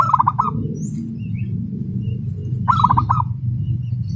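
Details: Fast, tightly spaced song of a local zebra dove kept as a contest prospect: two rapid chattering runs of five clipped notes about two and a half seconds apart, with quieter murmuring and low hum between.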